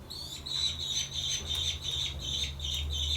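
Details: Young American kestrels (Falco sparverius) in a wildlife rescue centre during a morning feeding on 18 July 2021 give shrill, scratchy squeals in quick bursts, about three a second, over a steady low hum.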